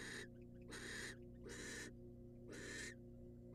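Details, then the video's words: A female barn owl, wild, at a monitored nest box while the male hands over a rat, utters four loud, breathy rasping hisses in quick succession. "Watch A Female Barn Owl Get A Rat From The Male And Be So Happy She Swallows It After 6 Minutes!"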